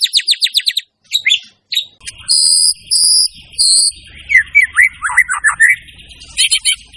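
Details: White-rumped shama singing at full energy: a fast burst of downward sweeps, then three long, piercing high whistled notes, a tumbling run of lower warbled twists, and closing high chips.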